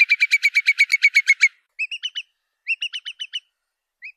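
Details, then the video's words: Curlew lure recording opening with a rapid, steady string of whistled notes. Two shorter groups of quick, upward-inflected whistles follow, then a final single note. "Tiếng Chim Choắt Mỏ Cong"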